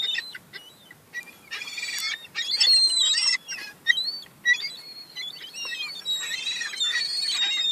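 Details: Several young seagulls fight over crumbs, producing loud overlapping squeals, harsh rasping bursts and thin wavering whistles in a continuous noisy jumble.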